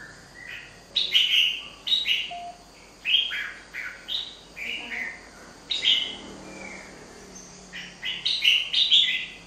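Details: Wild-caught red-whiskered bulbul pouring out repeated cheerful whistled phrases, each of several quick rising and falling notes, with short pauses between bursts over nine seconds.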